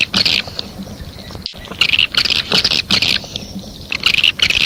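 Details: Swiftlet calling sound A4. Rapid, scratchy, high-pitched twittering comes in overlapping bursts, with a brief dropout near the start and steady background hiss throughout.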